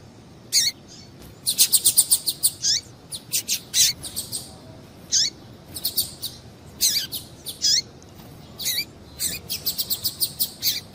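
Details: Female double-collared seedeater calling to excite a male: lively runs of high, sharp chips, some in quick rattling bursts and others with short falling slurs, separated by brief pauses.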